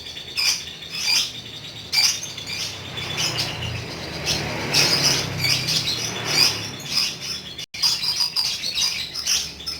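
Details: Pet lovebird in lively ngekek singing: repeated bursts of shrill high chirps and rattling trills, pulsing in clusters every second or so with short breaks, over a faint low hum.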